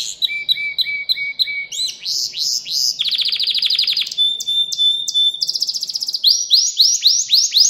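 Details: Singing canary, recorded as a tutor for young birds: repeated short whistled notes, rising sweeps, a dense low buzzy trill, then fast clicking trills and upward slurs, with a faint low hum underneath.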